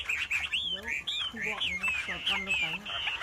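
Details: Wambi singing in song form, a loud song used as a master for training birds: rapid sliding whistles rising and falling, dense overlapping phrases over a noisy background.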